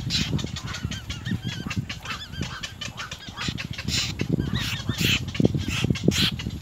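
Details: Little egret nestlings biting hard at their mother at the nest give repeated wavering, buzzy calls in quick series, backed by loud low knocking and scuffling.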